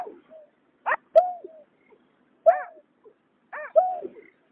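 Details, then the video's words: Male and female greater painted-snipe calling, 2021: a few spaced nasal notes, each sliding down at the end, in pairs separated by pauses of over a second, with a faint click and silence between. "Tiếng nhát hoa, cà cuốc trống mái"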